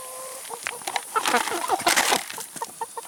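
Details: Chickens eating salad and vegetables: a sustained low note opens, followed by a busy burst of overlapping clucks and squawks, then quieter single clucks repeated roughly twice a second.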